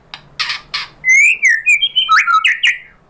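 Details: White-rumped shama lure song meant to provoke another shama into singing: a few harsh broadband bursts, then a run of clear whistled notes that slide and jump between low and high pitches.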